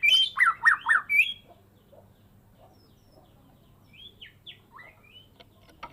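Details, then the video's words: Caged Medan-type white-rumped shama in full song, kept since a fledgling and past its first moult: a fast run of loud whistled and chirping notes for about a second, then faint scattered notes. "Murai medan gacoor full isian"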